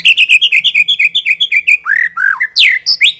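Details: White-rumped shama song for luring birds: a rapid series of about fifteen bright, slightly descending whistled notes, followed by swooping lower and higher rich whistles. The song is loud and close.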